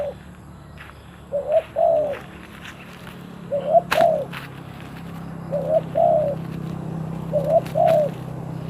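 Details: Decoy spotted dove used for luring wild doves, repeating mellow low coos in four phrases of two or three notes roughly every two seconds, with a steady low hum and a sharp click behind.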